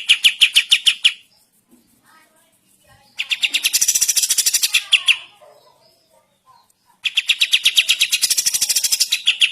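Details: Morning song of a sooty-headed bulbul: three bursts of fast, harsh repeated notes separated by quiet pauses, the middle burst denser and buzzier.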